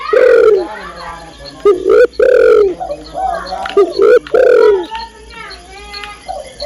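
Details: A female spotted dove calls for the male with loud, rough cooing phrases, short upswept notes followed by longer descending ones, repeated in quick pairs, then fading into softer trailing coos.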